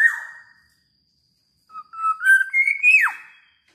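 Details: A newly kept pet Black-naped Oriole in the Philippines gives clear, fluting whistles: one opening note, a pause, then a rising liquid phrase ending in a sharp downslurred note.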